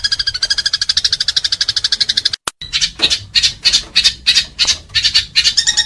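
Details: House sparrows fighting, recorded for training pet birds; shrill chirps in a fast even stream at first, then a short gap and louder separate harsh chirps about three per second.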